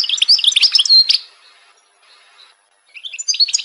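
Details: Song of an Algerian goldfinch, a rapid burst of high, liquid twitters and jangling notes lasting about a second, then a quiet pause before the bright, chattering phrases start again.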